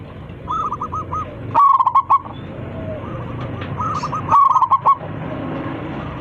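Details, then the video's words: Local zebra dove singing loudly to call its flock: two short bursts of rapid, staccato coos about three seconds apart, with softer trilled coo phrases from the background before and between them. "PERKUTUT LOKAL GACOR 27 MEMANGGIL KAWANANNYA MANGGUNG suara besar"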